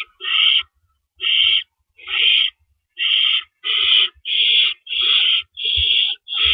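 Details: Owls at a nest before dawn on April 4, 2012, around 4:31 AM, while adults bring in and carry off rabbits; nine harsh, hissing screeches, each about half a second, come in a steady run with brief gaps, plus faint low knocks.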